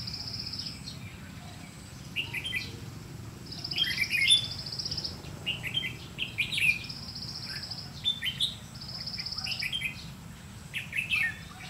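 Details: Red-whiskered bulbul decoy bird used during trapping, 30 May 2016, singing to challenge rivals: short chirpy whistled phrases at intervals, with a thin buzzy trill recurring overhead and steady low rumbling background noise.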